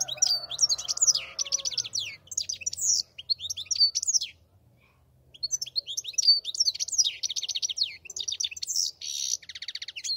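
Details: European goldfinch singing two long bouts of liquid, rapid twittering and trilled phrases separated by a brief pause, ending in a dry buzzy rattle; a faint low hum lies underneath.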